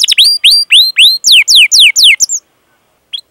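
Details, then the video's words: Canary calls for training other canaries: about a dozen loud whistled notes sweeping downward in quick succession, then silence and one brief rising chirp at the end. "Masteran Suara Burung Kenari Gacor Panjang cuit cuit Ngerol untuk Pancingan Kenari!"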